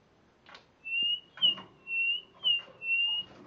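Spotted morning-thrush sings a string of five clear, high whistles, each about half a second, alternating level and slightly rising notes, with soft clicks and rustles between.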